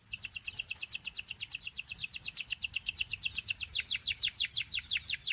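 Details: Gloster canary encouraging companions to sing: a steady, fast trill of high clipped notes, gradually slowing and turning into separate downslurred chirps near the end.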